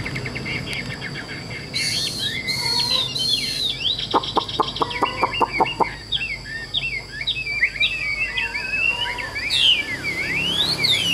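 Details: Tame Chinese hwamei: a sharp rapid series of clicks and noise bursts, then a varied run of short swooping whistled notes and slurred phrases, with a steady background hum.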